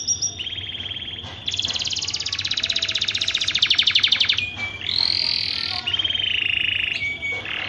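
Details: Canary in breeding condition, song used to prompt birds to mate: long rolling trills, one rising into a dense, pulsing buzz, then clear held notes and another rapid trill, over low background hum.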